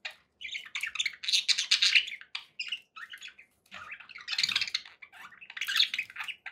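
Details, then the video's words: Pet budgerigars chattering steadily with busy, high warbles and chirps, pausing briefly before another loud burst of chatter. "budgie sounds"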